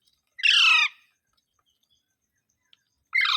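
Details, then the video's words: Parrot screeching twice, both calls loud, harsh and broad, the first about half a second long, the second starting just under three seconds later. "Mitthu Mitthu Parrot Sounds | मिट्ठू मिट्ठू |Funny parrot sound"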